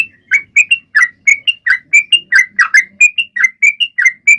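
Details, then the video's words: Sooty-headed bulbul singing hard to draw other birds into song; clear, bubbly whistled notes alternating lower slurred and higher steady tones, delivered in a brisk, uneven chain. "Trucuan gacor!!mancing burung lain ikut bunyi"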